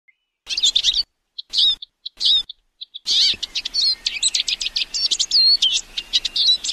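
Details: Eurasian siskin song: after brief spaced twittering bursts with abrupt silent gaps, a fast continuous high twittering run of rapid chirps, trills and drawn-out wheezy slurred notes, loud and close with no other sounds.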